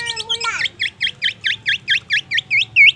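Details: Black-naped oriole mimicking magpie robin and ambulance sounds: a short falling slurred note, then about twelve crisp high V-shaped chirps repeated several times a second, steady and even, with low hum behind.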